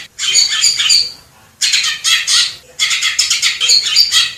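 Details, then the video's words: Greater green leafbird recorded in the wild in Indonesia: scratchy, rasping high-pitched phrases in three bursts separated by short gaps. "SUARA MASTERAN CUCAK IJO JERNIH"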